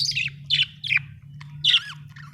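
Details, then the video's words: Budgie chirping: harsh, scratchy squawk-chirps in quick bursts, some dropping in pitch, over a steady low hum. "budgie chirping sound"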